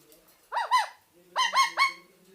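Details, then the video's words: A parakeet, kept as a pet, gives two arched, rising-and-falling whistled notes, pauses briefly, then gives three more in quick succession over a faint low hum. "Parrots natural funny sounds"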